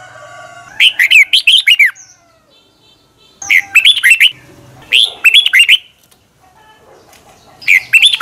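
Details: A red-whiskered bulbul sings its long double twisted morning song for bird training; four energetic phrases of quick, bright, bending whistles at uneven intervals, with a low background hum.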